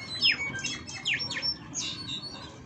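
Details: European goldfinches courting each other twitter in quick, bright, liquid notes, with several sharp downward-sweeping chirps about half a second apart, in a quiet indoor room.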